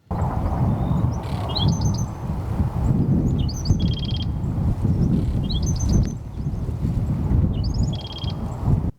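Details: A male black-throated sparrow sings in desert scrub on the Pacific Crest Trail in southern California. Its short, high tinkling phrases of a few clipped notes and a fast metallic trill repeat about every 2.5 seconds, with slight bill-clacking, over heavy wind rumble.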